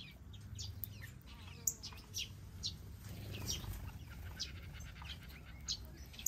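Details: In an aviary holding zebra finches, major goldfinches, gouldian finches and long-tailed finches, several finches give short, high chirps and brief rising notes scattered irregularly over a steady low rumble.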